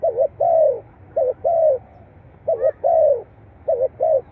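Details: Coos of a spotted dove, played to encourage kept doves to call. Soft, low, two-part phrases with a short warbled note and a longer falling coo, given in a steady run of four phrases.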